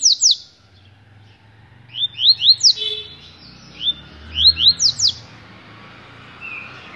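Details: Rusty-collared seedeater in a hand-held cage delivering phrases of sharp upslurred whistles, three or four notes per burst, repeated every couple of seconds with quieter twittering between.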